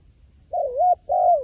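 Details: Wild pigeon giving two low, smooth coos, the first wavering up and down, the second a long note that slides downward at its end, over a quiet background.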